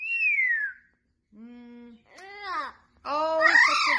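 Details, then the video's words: Blue-fronted amazon parrot talking with its trainer: a falling whistle opens, then a flat nasal hum, and arched speech-like syllables ending in a loud, raspy chattering outburst. "Parrot Talking"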